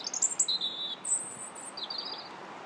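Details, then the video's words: Robin singing on 21 January: thin, very high whistled notes, a sharp upper phrase followed by a wavering lower trill and a brief high whistle, with a faint steady background hiss. "Still the Robins Sing January 21st"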